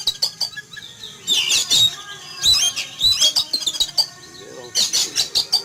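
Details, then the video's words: Caged Oriental magpie-robin sunned outdoors in the morning, calling excitedly in fright at a passing eagle: dense bursts of high, harsh chatter and thin whistles, partly overlapped by people talking. "Kicau Burung Kacer Ketakutan Melihat Burung Elang Terbang"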